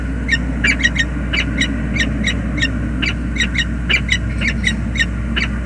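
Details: Greeting between a male and female peregrine falcon at their nest on the James River Bridge, USA, February 2022. Clipped, harsh notes repeat irregularly, several per second, over a constant low rumble of bridge traffic.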